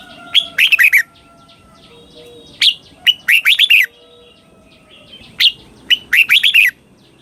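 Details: Red-whiskered bulbul singing a southern master-style song meant for young birds to copy: three bursts of rapid, bubbly whistled notes, each led by a sharp note, separated by quiet pauses with soft background chirps.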